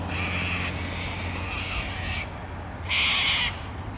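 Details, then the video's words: Three rough, grating screeches from a wild cockatoo in Australia, the last the loudest, spaced about a second apart over a low hum. "Australian wild bird COCKATOO sounds"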